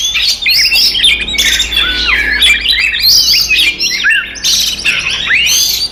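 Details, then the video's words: Oriental magpie-robin fighting song used to provoke rivals: harsh, layered squawks mixed with fast whistled slurs and trills, very dense and continuous. "SUARA BURUNG kacer gacor TARUNG konslet paling AMPUH buat PANCINGAN KACER EMOSI"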